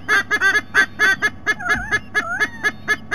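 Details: White-bellied sea eagle on 3 November 2020: a quick series of harsh, goose-like honks, evenly pulsed, with a thin, wavering whistle from another bird overlapping midway.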